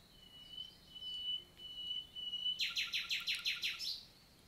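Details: Common nightingale singing on a summer morning, 11 June 2023, in countryside forest of the Célé valley, Lot, southern France: long pure whistled notes, then a fast loud series of about eight repeated rasping downstrokes.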